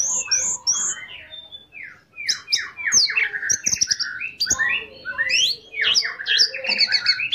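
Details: Orange-headed thrush singing to provoke another of its kind to join in: a varied medley of descending slurred whistles and sharp clicks, with short pauses between bursts of rich, fast phrases.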